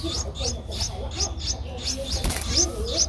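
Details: Nestling Streak-eared Bulbul, 11 days old, Ubon Ratchathani, Thailand, 13 April 2023, repeats shrill high chirps roughly every third of a second; a brief broadband rustle interrupts midway.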